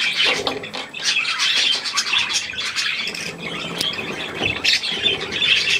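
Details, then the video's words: Budgerigars with young feeding on millet, 3 May 2024, produce a thick, ceaseless mix of harsh squawks, twitters and chirps from many birds at once, with a faint low murmur below. "Hirse und die Jungen Wellis"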